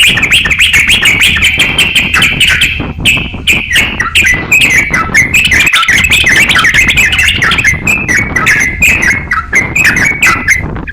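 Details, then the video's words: Crocok-cokan song, used as master material for training songbirds: long, rapid chatter of sharp chirps and warbled whistles, nearly nonstop with a couple of short breaks, over persistent low background hum. "crokcokan gacor siap jadikan masteran kicauan"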